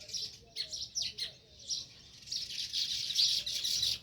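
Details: Sparrow chirping close to its nest in a village; a few sharp downward-sweeping chirps, then a continuous buzzy chatter that stays loud and high.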